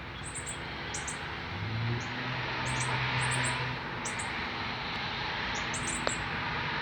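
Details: Male northern cardinal feeding a fledgling on its first day out of the nest, Canada, September 12, 2020. Sharp, high chips come in doubled and tripled bursts every second or so over constant noise and a brief low hum.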